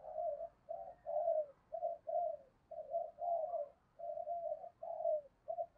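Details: Spotted dove lure cooing to stir up fighting and trap wild doves; an unbroken run of soft, low, rolling coos, each note slurring downward, over a steady faint background hiss.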